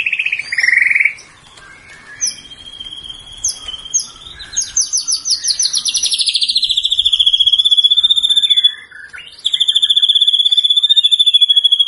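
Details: White-rumped shama song used to train other birds: opens with a loud slurred whistle, followed by scattered high notes building into long, fast, even rattling trills with a brief pause between them.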